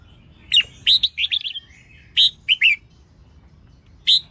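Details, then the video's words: Female red-whiskered bulbul singing to rouse males, delivering short chirpy warbled bursts of slurred whistled notes in separate clusters, with a pause between groups and a final bright note near the end. "Tiếng chào mào mái kích trống hót líu lo"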